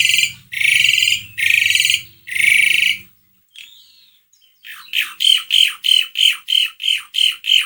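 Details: Asian pied starling song meant to encourage another bird to sing: three long harsh rasping bursts, a pause, then a fast run of about ten short repeated chattering notes.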